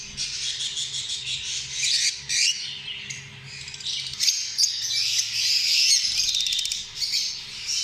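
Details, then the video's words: Lovebirds in a noisy burst of high, harsh squawks and squeaks, densely overlapping and almost unbroken, rising and falling in loudness. "Amazing sound of love birds"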